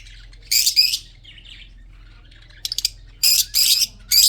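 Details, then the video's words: Breeding budgerigars with red eyes: loud, harsh, buzzy chirps in short clusters, a few softer warbles and quick clicks, over a low background hum. "red eyes australian parrot"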